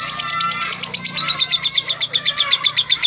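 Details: Lovebird 'ngetik' chatter meant to provoke other lovebirds: a continuous string of quick, clipped high ticking notes at an even, rapid pace, with faint softer chirps from other birds behind.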